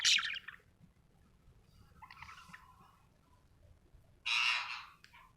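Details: A happy budgerigar lets out harsh, buzzy squawks: a loud burst at the start, a softer rasping stretch in the middle, and another loud grating squawk near the end.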